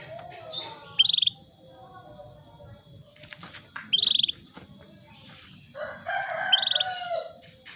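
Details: Female canary calling a male to bring him into breeding condition: short bursts of rapid high trilled notes, about three bursts spaced a few seconds apart, over a steady high whine and low background rumble.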